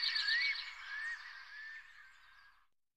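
A Black stork gives a wheezy, hissing call with faint whistled notes, loud at first, then fading away over nearly three seconds.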